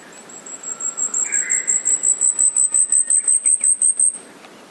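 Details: Asian stubtail song: a thin, very high insect-like series of rapid ticking notes, swelling steadily louder over about four seconds before stopping abruptly. Fainter, lower whistles from another bird sound near the start.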